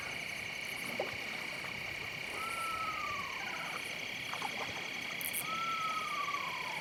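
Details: Eastern screech-owl directly across the Niobrara River, Nebraska Sand Hills, on a warm still late-September night under a nearly full moon, gives two plunging horse-like whinnies about three seconds apart, over a steady drone of night insects.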